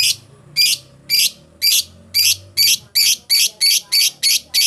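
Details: Lovebird lure calls meant to summon a rival and spur a bird into steady singing: a fast run of about a dozen loud, piercing high chirps in under five seconds, evenly spaced, over low room hum.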